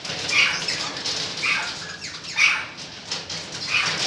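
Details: Golden-mantled rosella, 2013, uttering four brief, piercing notes with a whistled centre about a second apart, over soft rustling and hissing noise.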